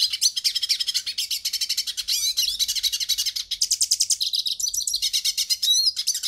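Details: Brazilian hooded siskin in long, unbroken song: rapid high-pitched twitters repeated many times a second, broken by a few sliding whistled phrases, bright and steady throughout.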